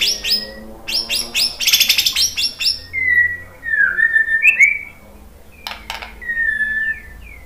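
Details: White-rumped shama singing to provoke a rival into song: fast harsh chattering bursts open, followed by sweeping downslurred and rising clear whistles, a sharp click and a drawn-out falling whistle.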